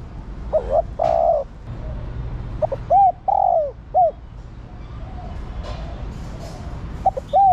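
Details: Cooing female spotted dove calling to the male: soft curved notes and a sustained hollow coo, delivered in two phrases, with a third beginning at the end; light rustling in the background.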